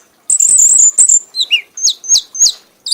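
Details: Frenzied singing from a prize-winning red-whiskered bulbul: a long shrill whistled note, a downward slur, then four quick high chirps at even spacing.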